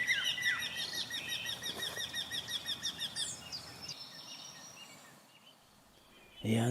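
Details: In spring, a migratory Eurasian wryneck sings from a bush where it has been heard for several days, giving a quick run of nasal, even-pitched notes among other songbirds' chirps and twitters, ending in a brief rustle.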